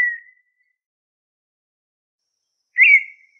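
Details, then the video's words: Perdiz (partridge) song: a clear, steady whistled note near the start, then after a long silence a second, brighter whistle that flares and fades. No other sounds. "Perdiz....lindo canto"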